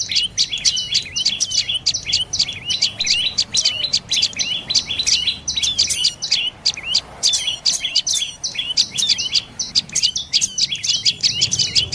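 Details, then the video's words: Dark-necked tailorbird giving a long, dense run of sharp, high chirping notes in rapid succession, the notes crowding and overlapping with no pause across twelve seconds, over a faint, quiet background. "เสียงนกกระจิบคอดำDark necked Tailorbird Sounds"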